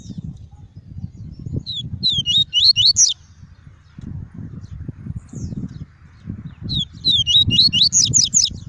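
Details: Tuí tuí singing by a caged double-collared seedeater, meant to excite birds and tutor chicks: two fast strings of rising whistled notes over a persistent low rumbling background noise.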